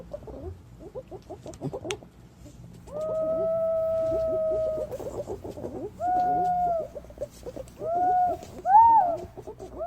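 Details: Green pigeon call recording used as a lure: long, level whistled notes, the first held about two seconds, then shorter bent whistles, over soft rapid chattering notes in the background.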